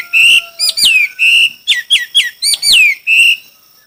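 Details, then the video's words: Chinese hwamei competing in song: long, pure sustained whistles alternate with sharply descending slurred notes. The delivery is loud and deliberate, with about a dozen phrases in under four seconds, then quiet. "Coob quaj sib thib(Hoạ mi hót đấu)"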